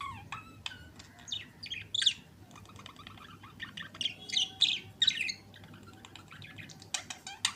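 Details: Pair of budgerigars kissing, giving dense chattering warble: sharp squawks and rapid chirps, some strong harsh notes near the middle and end, with short clicks between, indoors.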